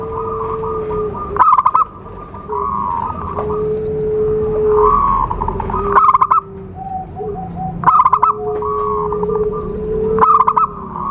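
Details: Zebra dove luring call for trapping: short bursts of rapid, clipped cooing notes recur about every two seconds, five bursts in all, over steady whistles and chatter from other birds.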